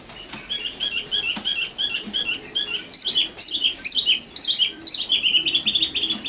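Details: Common nightingale (Luscinia megarhynchos), called sikatan londo, sings a steady series of short chipping notes, then louder, sharper, slurred whistles repeated roughly twice a second, ending in a quick trill.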